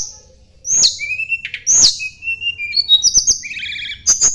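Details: Sunda blue robin, called tledekan gunung, giving rival-seeking song: high downslurred whistles, level sustained tones and a quick run of trilled notes near the end.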